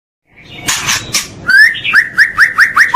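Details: White-rumped shama (murai batu) training recording meant to build a caged bird's song and mental strength: brief noisy chatter, then a run of clear whistled notes rising in pitch, repeated roughly every quarter second.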